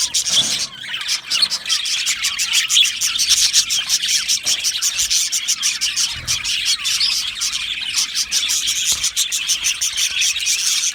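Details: Aviary flock of budgies chirping and singing, quick repeated high tweets and grating warbles overlapping in a continuous, lively chorus.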